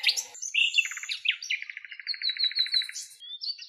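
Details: Common nightingale singing wild in Greek nature, recorded in its natural habitat: a scratchy opening burst, then a rapid run of repeated pulsed notes, a long fast trill, and a few high thin whistled notes, clear and without background noise.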